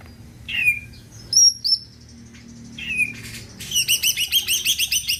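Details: Greater green leafbird song, said to get other birds singing: a few sharp whistled notes near the start, then a fast run of repeated rich chirping phrases at the end.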